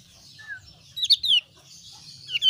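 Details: Javan grey-throated white-eye of the thin-browed form, calling: short, sharp, high chirps that slur downward, clustered in a quick burst midway, then another brief chirp near the end, over a quiet background.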